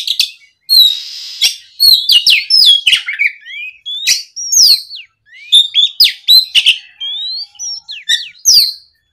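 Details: Oriental magpie-robin delivering a continuous gacor ngeplong song to lure a rival into singing back. Varied loud whistles, sweeping slurs and scratchy chirps tumble in dense phrases with two short silences.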